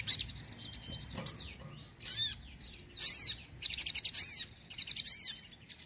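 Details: Sogon bird singing energetically as a lure and a trigger for silent birds: high twittering bursts and swooping down-slurred notes, growing denser into rapid chattering phrases toward the end.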